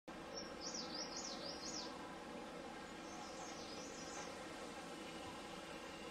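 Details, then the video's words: At Doi Inthanon National Park near Chiang Mai, Thailand, a Blue Whistling Thrush gives two short bursts of high, wavering whistles that rise and fall quickly, over a steady background hiss. "Blue Whistling Thrush"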